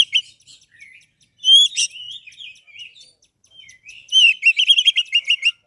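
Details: Energetic Oriental magpie-robin song for training birds that won't sing: scattered soft whistles and chips, a loud sharp phrase, then a brisk rattling series of rapid whistled notes.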